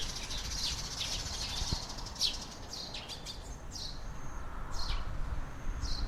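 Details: A morning chorus at 6:30 am: many sparrows chirp together in short, bright, overlapping notes at a steady pace, over a constant low rumble of background noise.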